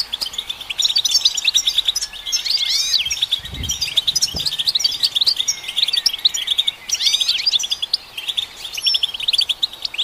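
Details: European goldfinch song aimed at stimulating goldfinches, a long unbroken stream of rapid tinkling twitters, buzzy trills and swooping slurred notes, with a couple of low thumps early on.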